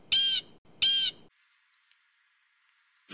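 A thin, very high, sustained screaming of a swift runs for about two seconds, after two harsh, raspy calls from a different bird.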